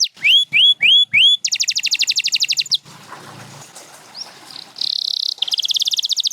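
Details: Singing canary with four loud rising whistles, then a dense buzzy trill for over a second, then a quiet stretch of low rustling and a single note, then renewed high rapid trills.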